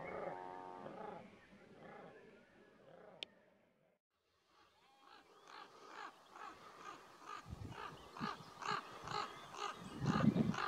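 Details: Raven parents start a noisy row with neighbouring nesting crows to distract an approaching person from their nest; low, nasal croaks open, followed by harsh, rapid caws about four times a second as the crows attack.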